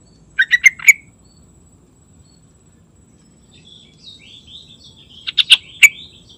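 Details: Yellow-vented bulbul in lively morning song, with a quick burst of four gurgling notes, a soft rambling warble in the middle, then another loud bubbly four-note phrase near the end.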